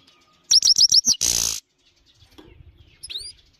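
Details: Singing Himalayan goldfinch: a loud run of fast, high stuttering notes ending in a harsh buzzy burst, then near-quiet with soft low thumps and one brief rising high whistle.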